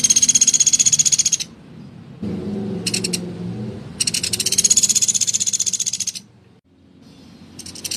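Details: Woodpecker, known locally as pelatuk beras, giving rough, energetic calls: fast, machine-gun rattles of high clicking pulses in bursts of one to two seconds, separated by short pauses, with a faint low rumble behind.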